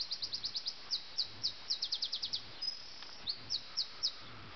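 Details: Nightingale in Sussex, recorded before dawn at 4 a.m. on 30 June 2010, singing rapid series of high, clipped repeated notes in bursts, then slower spaced notes, heard faintly through background noise.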